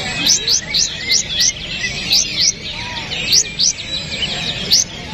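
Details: Kapas tembak bulbul song used as songbird training material: bright, upward-sweeping whistled notes in pairs and triplets, repeated through the passage, with a constant background hiss.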